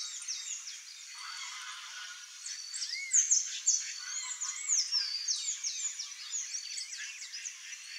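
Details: Wild green-backed becard (Pachyramphus viridis) calling free in nature: high, thin whistled and chattering notes in many short overlapping phrases, with other small birds twittering throughout.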